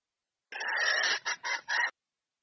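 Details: Hen red junglefowl calling a male to mate: a single long, harsh, buzzy note followed by three short rasping notes.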